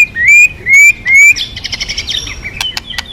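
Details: White-rumped shama song for stirring other birds to sing: three loud rising whistles about half a second apart, followed by softer chattering and sharp clicks.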